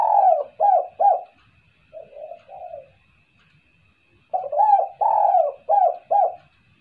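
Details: Spotted dove calling 'kuk-kuk', used as a lure: three loud, short coos, then three quieter falling coos, a pause, and a run of five strong coos, over a faint high whine.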